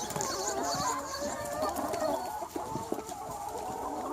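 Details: Free range flock of chickens on a sunny spring day, thick overlapping clucking and murmuring from many birds with short percussive knocks.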